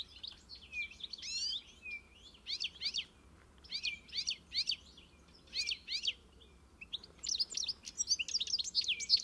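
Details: European goldfinch song in short clustered bursts of bright twittering and trilled notes roughly every second or so, with soft pauses between, growing busier toward the end.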